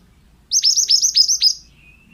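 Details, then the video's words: Singing male pied bushchat, recorded to train other birds: one quick burst of six or seven piercing, hooked high notes in about a second, then a thin faint whistle. "BURUNG MANTENAN GACOR--MASTERAN AMPUH"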